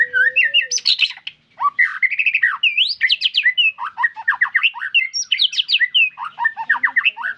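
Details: Energetic white-rumped shama song: dense, rapid sequences of varied whistled and chattering notes with harsh squawky elements, almost without pause, and a faint low steady whistle at the start.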